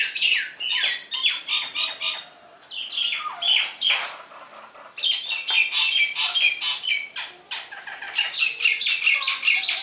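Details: Actively singing Javan myna, caught with a net, delivers dense, rapid runs of harsh, grating notes with some sliding whistles, nearly continuous apart from two brief pauses.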